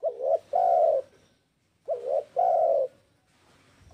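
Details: Spotted dove (tekukur) coo phrases used to provoke rival doves into calling: two repeated pairs of a brief wobbling note and a longer level coo, separated by a short silence, with faint background hiss.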